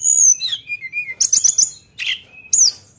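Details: Energetic Sunda bush warbler song in the sharp 'nembak' style, opening with a high sweeping whistle, then short stuttering chips, a quick rattled burst and a final bright slurred whistle.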